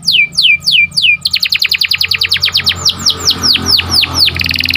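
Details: Morning song of a canary: three loud descending whistled slurs, then a brisk rattling tour of repeated notes that slows into longer downward-swept whistles, ending in a buzzy trill, over a faint low hum.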